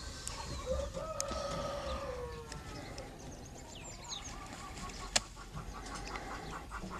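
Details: A Dominique chicken (Gallus gallus domesticus, American breed) gives a drawn-out, slightly falling call, then a run of short repeated clucks, with small birds chirping faintly and a steady background hiss.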